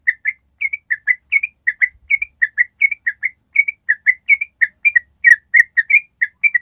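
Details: Yellow-vented bulbul in a sustained ropel song, played to train other bulbuls. Paired liquid chirps repeat evenly, about three per second, across the whole clip.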